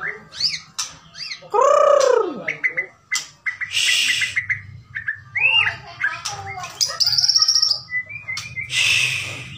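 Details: White-rumped shama of the Bahorok type singing a rich, varied song: loud sweeping whistles, rising and falling arcs, harsh high bursts and rapid chirps, with a steady low hum underneath.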